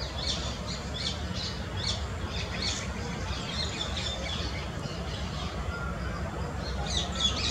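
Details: An adult spotted owlet gives harsh, screechy chattering notes in quick repeated bursts throughout, over a steady low rumble of wind or distant traffic.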